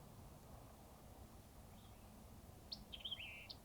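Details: White-eyed vireos on the Texas coast near Rockport, hard to see, call back and forth. One gives a quick, snappy phrase ending in four or five sharp, high notes, remembered as "quick, pick up the beer check", over steady low rumbling background noise.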